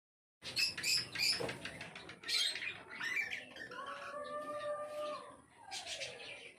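A cockatiel gives a burst of harsh chirps, then a steady, level whistled note.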